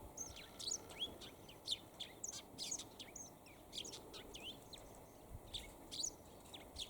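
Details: A sparrow-type chatter from a Eurasian tree sparrow on a long perch in sunny weather: crisp, high chirps in irregular clusters, some doubled, over faint steady background noise.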